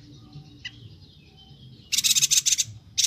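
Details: Bornean yuhina (Perenjak Batu) in lively voice for songbird training: a quiet stretch with a single faint tick, then a burst of rapid rasping, buzzy high notes and another starting at the end.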